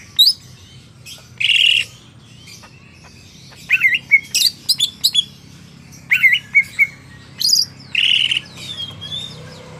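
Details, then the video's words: Greater green leafbird from a market singing varied phrases: harsh buzzy rasps alternating with clusters of sharp, high, quickly repeated whistled notes and short slurs. "Burung CUCAK IJO Pasar BiSa Kayak Gini!!"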